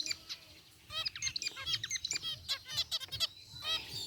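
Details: Zebra finches chirping happily in their aviary, a group with a rare white bird among gray ones: rapid high nasal notes and short buzzy calls overlapping throughout, fairly continuous.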